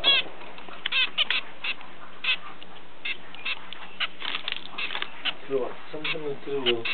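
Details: Several captive zebra finches kept as pets in Ulaanbaatar, Mongolia, chatter with steady bursts of short nasal beeping calls, while a lower wavering voice-like sound joins near the end.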